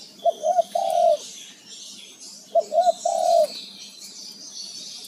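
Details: Male spotted dove (tekukur) gives two cooing phrases about two seconds apart, short coos followed by a longer drawn-out note, against a background of buzzing insects.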